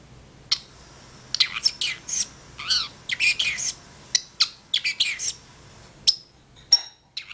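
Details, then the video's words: Caged pet parrotlet chattering back and forth with its owner in a kitchen: a run of quick high chirps, squeaks and short warbled phrases with small pauses, one rising-falling mimicked syllable in the middle, indoors with quiet background. "talking parrotlet"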